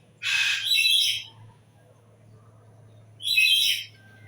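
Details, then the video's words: Bird uttering two loud, hoarse, screechy calls about three seconds apart, each roughly a second long, over a steady low hum. "Hari Ini Dengarkan Suara Burung"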